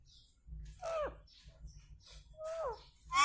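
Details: Indian ringneck parrot talking indoors, two short falling, speech-like harmonic phrases separated by quiet gaps, with faint low room hum underneath.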